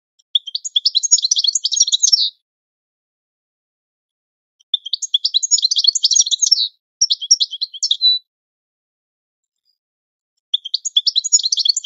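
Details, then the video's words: Repeated phrases of European goldfinch training song, fast, dense, high twittering bursts a couple of seconds long, spaced by pauses of two to three seconds, on a silent background. "Goldfinch The Best Singing - training song"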